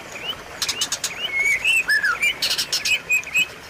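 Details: Tutor and lure song of the white-rumped shama for a bird that has gone silent; bright slurred whistles, one dropping note, mixed with sharp broadband clicks and brief high chirps.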